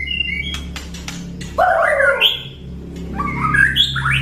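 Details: Ketrekan from a white-rumped shama, meant to provoke other birds into singing: clicks and scattered whistles, then rich warbling, rising phrases over a low, steady humming background.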